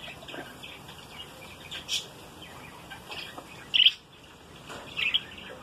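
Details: A newly hatched, captive-bred budgerigar chick gives three thin, high chirps, well spaced, over a soft background hiss.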